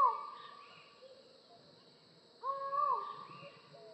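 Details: Collared forest falcon, a secretive bird of dense tropical rainforest canopy, giving two long hollow calls, one at the start and one after a pause, over soft higher forest bird notes.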